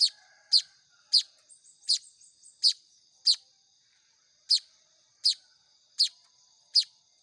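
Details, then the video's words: Weaver (manyar) chicks being hand-fed, giving sharp, high, squeaky chirps about every half second to second, with a short gap mid-way and a faint steady high hiss behind. "SUARA ANAKAN BURUNG MAYAR"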